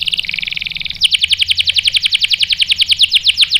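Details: Canary song answering a female used as bait: a short buzzy warble, then a fast rolling trill of sharp downslurred notes, about eight per second, held steady to the end.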